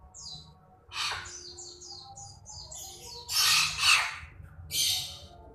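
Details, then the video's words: Young Nias hill myna from Nias gives a quick run of thin, high chirps, then three loud, harsh, rasping squawks, with a faint steady hum behind. "burung beo anakan ..asli nias"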